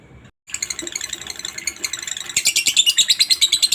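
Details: Lovebird in ngekek chatter, used to get other lovebirds singing along; a brief gap, then quick buzzy chirps that grow louder and more regular toward the end.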